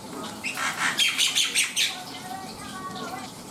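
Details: Black-winged myna delivering a run of harsh raspy notes in a rhythmic burst, trailing into softer wavering calls, with a faint constant tone behind.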